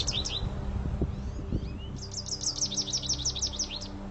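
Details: American goldfinch, a yellow-feathered bird of the Northeast, giving high, bright twittering chirps that end in a quick run of about a dozen rapid notes, over a low steady hum of music.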